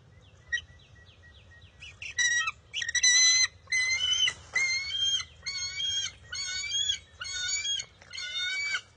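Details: Bald eagle eaglet, wild, at the nest on June 23, 2021, squabbling with its mother over a fish. It starts with a few thin notes, then gives a steady run of harsh, buzzy, harmonic screeches about once a second.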